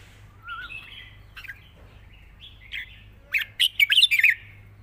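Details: Red-whiskered bulbul delivering a long song with singing and rik notes in wild style: soft slurred whistles at first, then a loud rapid run of choppy bright notes near the end, with a low background hum.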